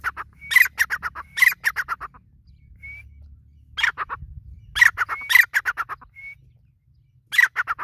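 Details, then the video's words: Grey francolin giving bursts of loud, rapid, harsh repeated notes, each burst lasting about a second and separated by short pauses, with thin whistled notes between bursts. "Teetar awaz | Teetar ki awaz | Teetar Calling | Teetar voice | Grey francolin teetar Sound"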